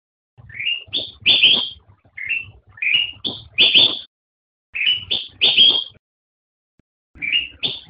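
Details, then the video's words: Black-crested bulbul, locally called kutilang emas, singing short bright phrases: a rising whistled note followed by two or three higher, richer notes, each phrase about a second long and repeated after brief pauses; faint low hum beneath. "Suara Burung Kutilang Emas"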